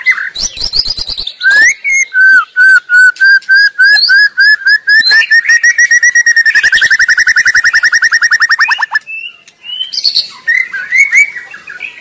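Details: Wild white-rumped shama in loud, varied song: sharp high chirps open into a steady series of evenly repeated whistled notes, followed by a long rapid trill and closing flourishes of rising whistles.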